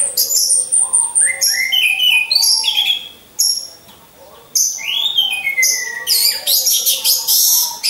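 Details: Orange-headed thrushes caged in a row during 'ngecas' training to build a champion's mentality: loud, varied high song phrases with buzzy trills and slurred whistles, a quiet gap around four seconds, then another intense burst.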